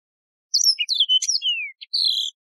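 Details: Yellow-fronted canary, a wild canary with a resonant, beautiful voice, singing one quick phrase of high trills and chirps, a long descending whistle, then a sustained high buzzy note, on a silent background.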